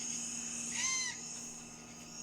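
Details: A young great horned owl at night in Washington, 10 October 2015, gives one loud, harsh, hissing screech under half a second long, over a steady high insect-like drone and faint low hum.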